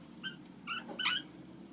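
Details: Household lineolated parakeets with chicks give three short, clear, harmonic chirps, the last the loudest and slightly warbled, against a steady low hum in a quiet room.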